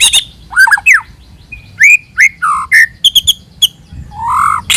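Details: White-rumped shama lure song of clear rising whistles and short sharp notes, with a lower buzzy phrase near the end.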